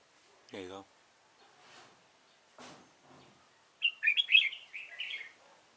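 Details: Red-whiskered bulbul heard during bulbul trapping. After a buzzy descending rasp and some rustling, a run of rapid, bright, chattering whistles rolls up and down for over a second.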